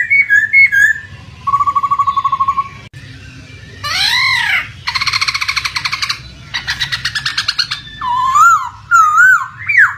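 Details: Laughingthrush lure sound meant to prompt a silent bird to sing: varied whistles, a rapid rattling trill, harsh rasping bursts and wavering whistled phrases, over flowing water.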